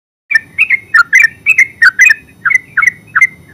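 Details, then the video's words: Yellow-vented bulbul, known locally as terucuk, singing a full ngeropel-style song: quick bubbly chirping notes around the middle-high range, often paired, repeated in a steady loose rhythm with sharp clicky overtones and a faint low hum behind. "Terucuk full suara ngeropel terbaru 2023"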